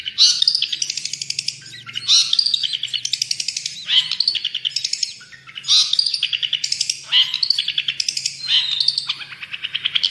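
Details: Long-tailed shrike in energetic song: harsh, grating high phrases that step downward, repeated about every two seconds, each followed by rapid ticking notes, with a faint low hum underneath.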